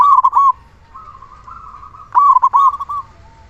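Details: Local zebra dove, loud and constantly singing, used to coax other zebra doves into song. Two quick rolling cooing phrases open and close the passage, linked by a soft continuous murmur of coos.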